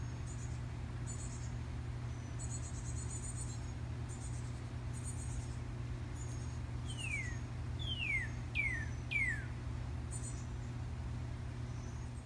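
A male cardinal sings four clear, downward-slurred whistles in quick succession over high insect buzzing and a steady low rumble.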